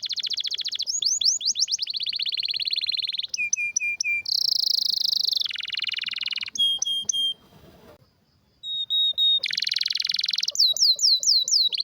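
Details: Canary singing a rare, strong song meant as a tutor for young canaries: varied tours of swept whistles, buzzy rolls and clipped repeated notes, with a brief pause near the middle before loud trills resume.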